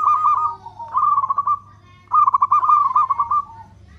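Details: Local zebra dove in full voice with long cooing, used as a lure to provoke other doves: two soft trilled coos, each a quick stuttering run that slides into a drawn-out tone, over a steady low hum.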